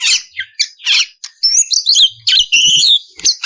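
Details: Female oriental magpie-robin in breeding condition calling the male: bursts of high, harsh chattering notes alternating with fast twisting whistled phrases, with brief gaps between bursts and a faint low thump near the middle.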